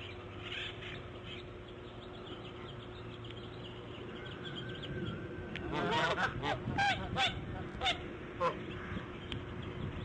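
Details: Bald eagle, female, laying her fifth egg on the morning of March 1, 2014, around 8:40. Quiet hum for several seconds, then a loud sequence of quick, piping, high chirps, several per second, tapering off.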